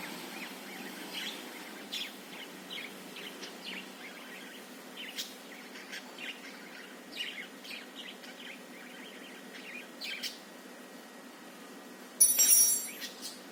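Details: Budgerigar singing while dancing, giving a long run of short, sharp chirps and clicks in an uneven chattering warble. A louder burst of noise comes near the end.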